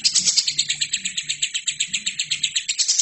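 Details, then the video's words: Captive lovebird singing continuously in a recording made to train other birds. Rapid, even, high chattering notes repeat about six times a second with a bright, buzzy edge. A faint low hum runs underneath. "LOVERBIRD GACOR!!! INILAH HASIL TERAPI MASTERAN TERBAIK 2017"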